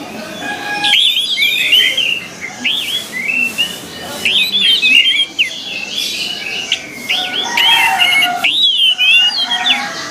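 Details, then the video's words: Orange-headed thrush (anis merah), a kept bird used for song training: a continuous run of varied whistled and slurred phrases, rising and falling, over a constant noisy hiss. "CAS ONLINE BAGUS UNTUK MELATIH SUARA ANIS MERAH AGAR CEPAT GACOR"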